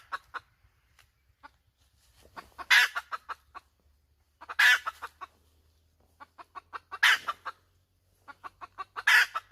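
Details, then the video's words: A hen gives repeated cackling calls: soft clucks that speed up and end in a loud rasping squawk, three full rounds, with a faint low hum in the background. "Suab poj qaib tsauj dib tuaj zoo heev"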